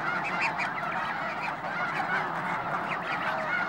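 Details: Continuous clamor of Snow Geese at the Hayton Snow Goose Reserve in the Skagit Wildlife Area, Washington: countless overlapping high-pitched honks with no pause, forming an even, unbroken chorus.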